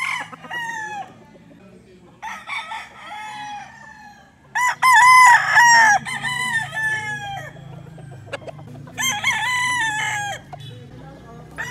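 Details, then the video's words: A rooster crows repeatedly. There are four loud, harmonic cock-a-doodle-doo calls, each lasting one to one and a half seconds and ending in a drawn-out wavering note. Quieter clucking fills the gaps between them. "Rooster Crowing Sound effect"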